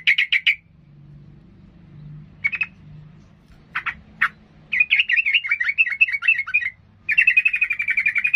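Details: Agitated sooty-headed bulbul singing in a way said to provoke rivals into fighting: quick bursts of sharp chirps, then long fast chattering runs of bright warbled notes, rising and falling, with short pauses between phrases and a low background hum.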